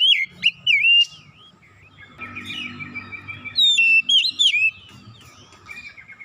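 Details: Oriental magpie-robin singing fill-in material: bright looping whistles at the start, a quieter stretch with a faint steady tone and low rumble, then another burst of loud slurred whistles.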